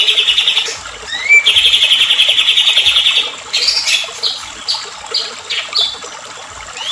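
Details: White-rumped shama in an agitated lure song meant to set other shamas singing: a long, even, buzzy rattle held near one pitch after a rising whistle, then a run of short, sharp down-slurred notes.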